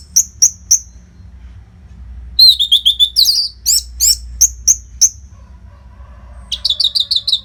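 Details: Nonstop orange-headed thrush tutor song for competition birds: three evenly spaced high chips, then a long quick sequence of whistled slurs and sharp notes, ending in a rapid rising twitter, low hum behind.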